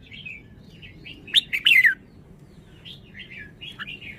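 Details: Red-whiskered bulbul letting out a loud burst of two sharp notes and then a falling, slurred whistle, set among quieter warbled notes before and after.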